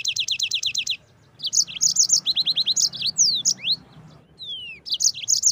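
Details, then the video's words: Yellow-fronted canary singing vigorously in a fast, dense style with harsh bursts, called 'speed rapat, tembakan kasar': rapid runs of repeated high chips, quick trills and sharp rising and falling whistled slurs, broken by short pauses between phrases. "Mozambik Gacor speed rapat, Tembakan Kasar"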